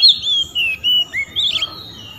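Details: Oriental magpie-robin singing loudly to call out rivals, which answer back. Clear, high whistled notes glide and slur downward in a string of separate phrases, ending with a sharper, buzzier flourish.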